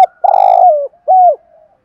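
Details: Close decoy spotted dove luring wild doves: a long, loud, buzzy coo falling at its tail, a brief pause, then a shorter arched coo trailing into a soft low murmur.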